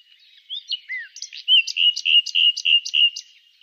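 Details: Common nightingale singing, a secretive bird surveyed in the wild: brief whistled notes, then a fast run of about ten sharp, evenly spaced chirps, each a rising stroke, crisp and loud.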